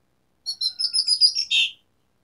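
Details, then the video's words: Asian pied starling in energetic song meant to coax silent starlings into singing: a short burst of high, scratchy, chattering notes, then one louder rasping note, with silence around it. "Pancingan Jalak Suren Gacor Variasi Isian Tembakan | Masteran Suara Burung Jalak Macet Bunyi"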